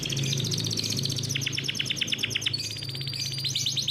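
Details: Captive-bred canary delivering a rolling 'ngeroll' song for training young birds: dense rapid high trills and clipped repeated notes over a steady low hum.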